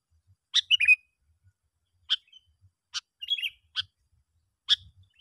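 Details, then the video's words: Lure call of a sooty-headed bulbul for attracting other bulbuls: isolated sharp, crackling notes spaced about a second apart, with short bubbly warbles between them. "panggilan yg sangat Ampuh ‼️ bikin bl berdatangan,PIKAT GACOR"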